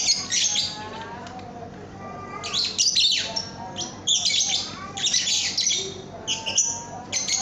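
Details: Lovebird song used as a training recording for young birds, a loud chattering run of harsh high squeaks and buzzy chirps in irregular bursts, over steady background noise.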